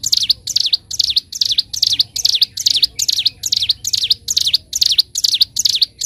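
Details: Bar-winged prinia singing in a master recording for training birds, in the lively 'gacor', 'nembak' and 'ngebren' styles: sharp, high, clear notes in a steady series of about two per second, over a faint low hum.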